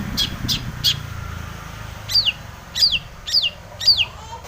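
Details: Long-tailed shrike, a lure to set other shrikes singing: three short sharp notes, a pause, then four loud downslurred whistles falling from high to mid pitch, spaced about half a second apart.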